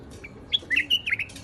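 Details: Iraqi white-eared bulbul on a rooftop garden, delivering a lively phrase of about six clear whistled notes that slur up and down, the last ones run together, with faint background hiss.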